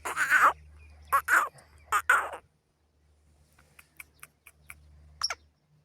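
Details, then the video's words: Black francolin from Pakistan, a Hanguwal desi kala teetar, gives three loud harsh grating notes within about two seconds, followed by scattered faint clicks over a steady low hum. "Hanguwal Desi Kala Teetar ki Awaz"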